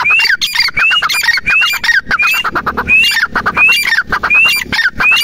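A francolin gives loud, harsh, squawking calls with rising whistled notes, repeated rapidly in an urgent rhythm of about one burst per second.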